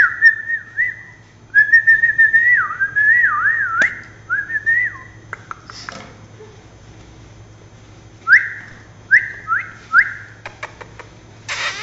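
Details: Lory parrot indoors giving clear, warbling whistled phrases that wobble up and down in pitch, several in a row, then a pause and a few short rising whistles, over a steady low electrical hum.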